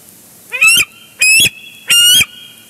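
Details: Bald eagle at its nest at Big Bear Lake, recorded by a live nest camera on a morning solo visit, 11 June 2022. Three loud, sharp, high calls with a harsh, rich tone, each about a third of a second long, about two-thirds of a second apart.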